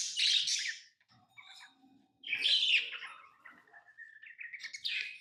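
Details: Tame lovebird gives harsh squeaky chirps, then a quieter stretch of thin twittering notes that build into rapid chatter near the end.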